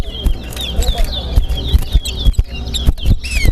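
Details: A chestnut-bellied seed finch (towa towa) in a whistling competition at Linden Town Day, Guyana, sings short, sweet whistled phrases that slur up and down, repeating every half second or so over a loud, chattering, counting crowd.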